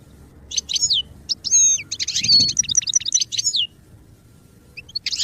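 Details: Goldfinch song used for song training: rapid tinkling twitters and bent whistled notes with a buzzy rattle near the middle, fading out and then resuming briefly with a few faint chirps.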